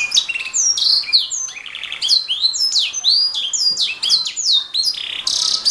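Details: Canary delivering energetic gacor song intended for tutoring other songbirds: quick high whistled slurs, rising and falling notes mixed with short buzzy rattles, continuous throughout.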